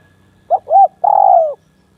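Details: Captive spotted dove, a decoy bird placed beside a fierce, bold rival dove, gives one mellow cooing phrase: two short rising-falling hoots, then a longer, drawn-out falling coo, over quiet background.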